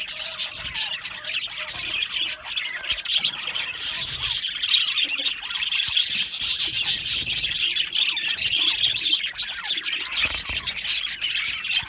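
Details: Happy budgie flock in an aviary giving nonstop high chattering, buzzy warbles and chirps that rise and fall in intensity, with many birds overlapping.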